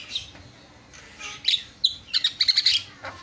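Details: Javan myna (jalak kebo) singing: short sharp high chirps after a quiet start, then a rapid cluster of clipped whistled notes near the end.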